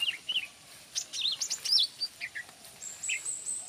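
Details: Greater green leafbird singing actively, a quick run of bright whistled chirps and slurred notes, some rising, some falling, in dense bursts, ending with a long thin high whistle; faint background hiss.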